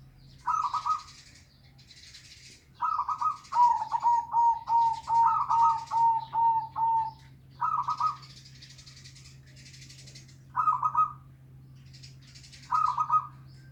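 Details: Local zebra dove singing, played as a lure for a dove that will not sing: short bursts of quick, rolling coos, one longer run of about eight evenly spaced notes, then further brief phrases with pauses between.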